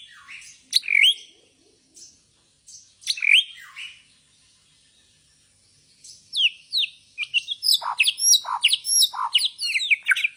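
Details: Bornean white-rumped shama performing gaya sujud, the bowing style: scattered high scratchy phrases with gaps, building into a dense, varied stream of sharp whistles and twittering notes.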